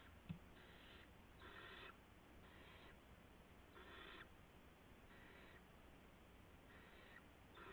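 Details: Barn owl nest on the night of March 16, 2016, during delivery of a gopher to the owlets. Spaced, breathy screeches of about half a second each recur every second or so over low hum.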